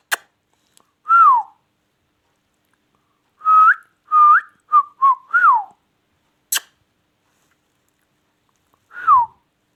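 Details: Indian ringneck parrot, kept as a talking pet, giving short clear whistled notes that bend up then fall, one alone, then a quick run of about six, then another single note, with two sharp clicks between, in a quiet room.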